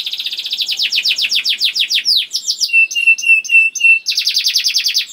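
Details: Young canary in song to get other canaries singing: rapid rolling trill, a few swooping notes, level whistled tones repeated about twice a second, then another fast trill.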